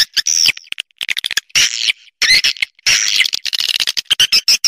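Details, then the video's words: Burung walet, or swiftlet, giving rapid, scratchy high-pitched chirps and squeaks in irregular clusters, with several longer buzzy twitters separated by brief pauses. "Suara Burung Walet"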